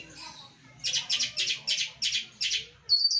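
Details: A trained long-tailed shrike sings in 'gacoran' style, giving six harsh, buzzy, evenly spaced bursts followed by a thin high whistle.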